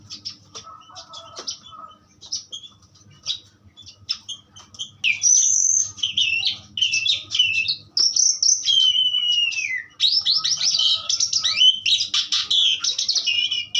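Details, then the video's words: Asian pied starling singing: scattered chirps at first, then from about five seconds loud whistled, slurred notes sweeping up and down, merging into a dense, rapid, jumbled warbling run with a faint low hum beneath. "jalak suren pastol ampuh"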